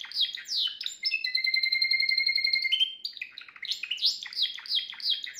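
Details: Caged Timbrado canary singing a faultless training song for young birds, recorded yesterday: sweeping chirps open, then a long level buzzing trill, a short rattle, and repeated downward-sweeping notes in quick succession.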